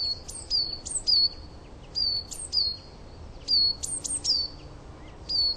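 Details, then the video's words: Coal tit singing in a garden, showing variations in its song: high, thin repeated two-note phrases, each a sharp upward-then-falling whistle, given in bursts of three to four notes with short pauses between; quiet background. "Coal Tit Song"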